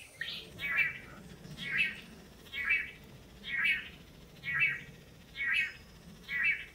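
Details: Several pairs of male Long-tailed Manakins (Chiroxiphia linearis) take turns in a courtship display on a lek before a female in Costa Rica, giving a nasal, twangy two-part call about once a second over a soft low hum.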